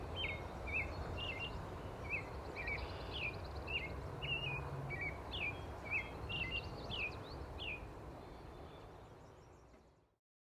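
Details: American robin singing in the wild in Canada, a long string of short whistled slurred phrases at a steady pace, with continuous low traffic-like rumble underneath before the sound cuts off.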